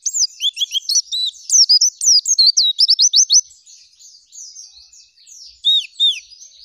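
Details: Energetic oriental white-eye song, full of fill-in material, shooting and rolling: dense high twittering and a quick trill over two seconds, then softer warbling and two final downslurred whistles.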